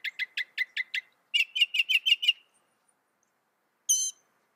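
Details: Northern mockingbird song: six evenly spaced chips, then six louder, buzzier notes in quick succession, and after a pause a single harsh, rasping note.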